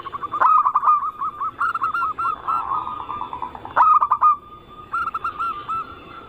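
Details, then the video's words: Zebra dove song of local, Bangkok and crossbred types, a massed lure recording to draw other doves into singing: staccato cooing phrases, short low notes run together and ending in a longer note, with overlapping birds. "Pancingan burung perkutut paling ampuh penarik Bunyi semua jenis burung perkutut Anggungan"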